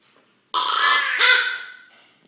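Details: Close-up recording of a sleeping captive common raven snoring: one loud, gravelly, drawn-out rasp of about a second and a half, shifting in tone midway before fading out in a quiet room.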